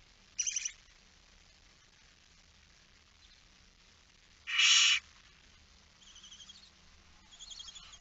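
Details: Young barn owl left alone at a nest in Friesland, Netherlands, 9 September 2019 around 20:09, giving one strong harsh hiss after a brief rasp, then faint chittering notes in a quiet background.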